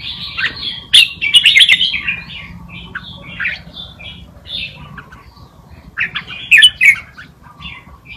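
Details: Red-whiskered bulbul tutor singing a Pa Malutin style song for young birds to learn. Two lively bursts of bright, chirpy warbled whistles are separated by quieter, scratchy phrases, with a steady faint hum underneath.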